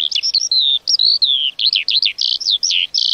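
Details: Lark in continuous varied song, mixing rising and falling whistled notes with buzzy chirps and short trills, delivered in quick bursts separated by tiny pauses.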